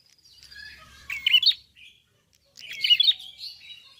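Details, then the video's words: Red-fronted prinia in full song: two bursts of bright, high, squeaky chirps and short rising notes about a second and a half apart, with a faint low rumble early on. "BUKA PARUH FULL GACOR BURUNG PRENJAK KEPALA MERAH/KLAWU"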